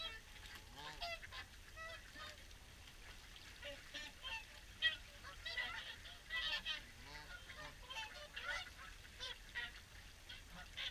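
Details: Swans at the evening feed at Caerlaverock, calling as a flock: many overlapping nasal, honking calls with harmonic bands, short and irregular, rising and falling over one another in a continuous busy chorus with faint low background rumble.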